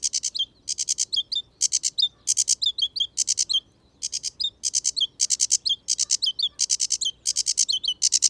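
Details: Sedge warbler song at Gibraltar Point, Lincolnshire, in wet habitat of ditches and ponds: loud, high-pitched, varied chattering bursts of rapid buzzy notes, each about half a second long, with short gaps between them.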